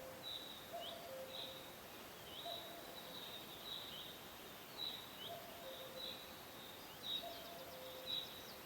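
A cuckoo gives soft, low two-note falling calls every couple of seconds, while other birds add thin, high chirps throughout.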